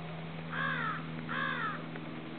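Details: A Snow Goose (Anser caerulescens atlanticus), recorded alongside Ring-billed and American Herring Gulls, gives two harsh, nasal, slightly falling honks about a second apart, over a steady low hum.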